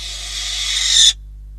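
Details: One loud, breathy screech of about a second, rising in strength before cutting off abruptly, from Catalonian barn owls at their nest on 12 December 2021, when a bird and then a rodent were brought in.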